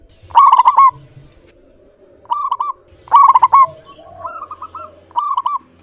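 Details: Local-type zebra dove in clear, frequent song: a loud staccato cooing burst followed by softer rolling coo phrases roughly every second, with quieter low notes in the gaps.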